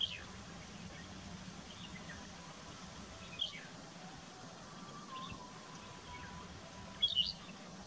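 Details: Rufous-tailed lark calling in fog, giving short, high chirping notes roughly every two seconds over a steady background hiss.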